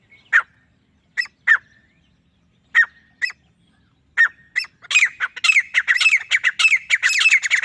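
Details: Male grey francolin calling alone: harsh, slurred notes at first spaced about a second apart, then quickening into a rapid, loud, rattling run of repeated screechy phrases in a quiet setting.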